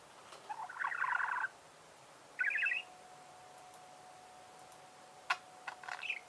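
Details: Budgerigars singing: two short bursts of rasping, buzzy chatter, followed by a long pause and a few faint clicks and chirps near the end.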